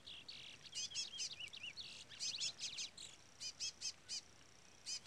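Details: Chestnut-bellied seed finch in brown plumage giving Trola-style song, a quick twisting warble opening the passage, with a chick's sharp, high peeps repeated in clusters nearly the whole time.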